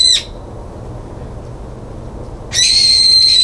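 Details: Brown-eared bulbul screaming at a balcony feeder on 9 February 2022 after being barred from it, a loud harsh shriek with buzzy overtones that bursts in near the start and again for the final second over quiet background hiss.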